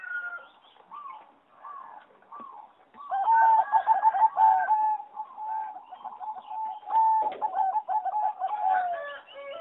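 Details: Competition-bred singing zebra doves in a flight aviary, recorded 26 April 2014; a strain selected over 60 years from a wild mutation. Rolling staccato cooing phrases in mid pitch, overlapping voices, a louder bird breaking into rapid beaded coos midway.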